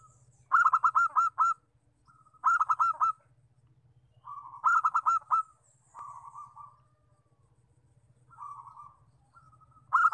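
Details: Local zebra dove lure call used to attract wild doves: loud bursts of four clipped, ringing notes near one pitch, each followed by a softer purring trill, repeating about every two seconds over a steady low hum.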